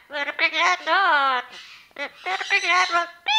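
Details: Pet Amazon parrot, a ten-year-old female, talking and singing indoors. A fast run of voiced, speech-like syllables, including a long note that bends down in pitch, then more clipped chatter after a short gap.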